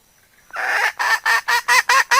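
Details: Calling decoy hen used to lure fowl, opening with a drawn-out harsh note and then five short strident clucks about a quarter second apart.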